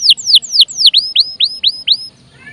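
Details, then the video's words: Canary in full voice, a lure recording meant to set other birds singing and to tutor them; high notes first sweep downward, then switch to upward-curving whistles, about four per second, before fading. "PANCINGAN KENARI GACOR||bisa juga buat master burung lain"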